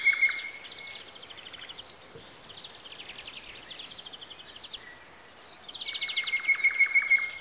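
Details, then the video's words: Birdsong in Bessarabia, Ukraine, captured with a Zoom H4n: a loud whistled note opens, then soft rapid trills run on. A stronger buzzy trill of evenly repeated notes returns in the final seconds. "Sounds of nature. Birds. Звуки природы.Птицы"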